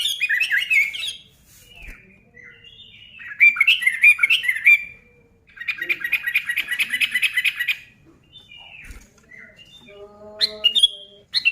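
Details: Sooty-headed bulbul singing loudly to stir other bulbuls into song; dense chattery phrases alternate with softer, lower whistled notes, ending with a short clear tonal figure.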